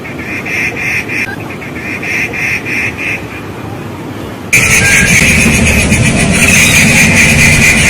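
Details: Rufous treepie, also called Indian treepie, a new visitor on a fig tree, giving harsh, nasal, buzzy calls repeated in quick regular pulses, about three or four a second, growing louder halfway through, with steady background noise.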